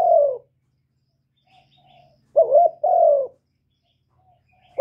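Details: Spotted dove cooing, played to stir other doves to call; recorded live without background noise. Low, hoarse coos with wavering, falling notes come in two bursts, a single coo, then a quick double note and a longer note, with quiet pauses.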